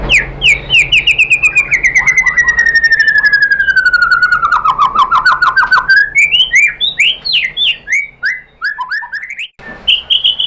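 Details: White-rumped shama lure song to trigger another shama: a long descending series of rapid trilled notes, followed by sharp varied whistled phrases.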